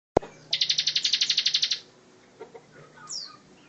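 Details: Bar-winged prinia in 'tembakan rapat' style, recorded as tutor song for other cage birds. After a click, a crisp, quick trill of about fourteen evenly spaced high notes runs for about a second, then faint chirps follow.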